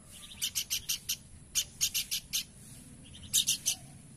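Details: Horsfield's babbler producing three quick phrases of scratchy, high chattering notes, five, five and three notes each, in a quiet setting.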